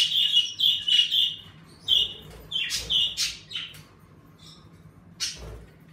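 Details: A pet budgerigar in a shared bird room repeats clear, whistled chirps in quick succession, then a few scratchy notes and a pause before one last sharp call; birds active in warming weather, with a soft steady hum behind.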